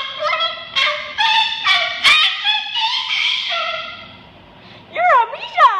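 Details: Pet bird singing and dancing in an office, giving a string of harmonic, wavering vocal notes, some drawn out and falling, then a pause and a final pair of swooping, rising-and-falling calls.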